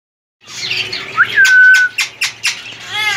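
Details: Healthy, active three-year-old male ring-necked parakeet, semi hand-tamed, long-tailed: harsh squawky notes, then a clear whistled tone holding level for half a second, followed by four sharp rhythmic squawks.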